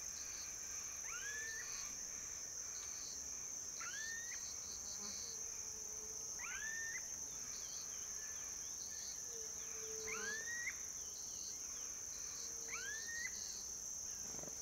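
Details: Rufous-tailed jacamar in semi-open dry forest or forest edge in Bolivia, giving thin, upslurred whistled notes, one every two to three seconds, over a loud, steady high insect drone.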